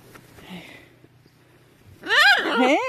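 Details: Pet macaws outdoors on a sunny February winter day, a few degrees above zero with little wind, playful and chatty. Quiet rustling, then one loud, harsh, wavering squawk with rich harmonics rising and falling for about a second.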